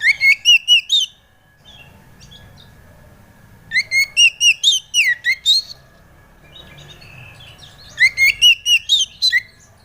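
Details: White-rumped shama song used as a lure to set a young bird singing: three bursts of about six to eight loud, ringing, rising whistled notes, each burst separated by a few seconds of near silence.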